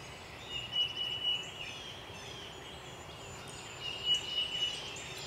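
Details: An eastern phoebe at Clyde Shepard Nature Preserve on 28 March 2017 gives two brief, raspy, buzzy high phrases about three seconds apart over a steady background hiss.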